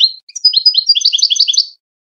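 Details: European goldfinch singing a wedani-style contest song meant for tutoring young birds and hybrids: a rapid, rolling series of high liquid twitters and trills lasting under two seconds, with no other sounds.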